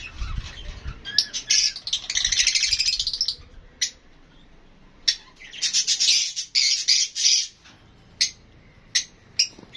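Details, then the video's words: Lovebirds, including Fischer's lovebirds, with budgies also featured, chatter in shrill, squawky bursts of rapid high chirps, several per second, with short sharp clicks and chips between the louder outbursts. "Love Birds HD Sounds"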